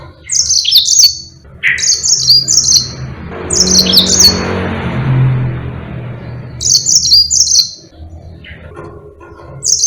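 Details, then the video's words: Rolling song of a yellow-fronted canary: repeated clusters of high, sweet twittering trills every couple of seconds, interrupted midway by a stretch of broad hissing noise and low rumble. "Burung Mozambique GACOR NGEROL PANJANG"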